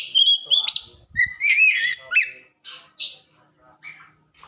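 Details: White-rumped shama song used to train caged birds: clear fluting whistles and upward-sliding notes, then a few harsher chips trailing off into quieter calls.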